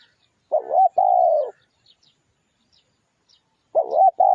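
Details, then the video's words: Spotted dove song played as a lure for wild doves: a short warbled coo followed by a long, level, mellow coo, then a pause, then the same two-part phrase again. "tiếng chim cu gáy mồi kích bổi nhanh nổi cực mạnh"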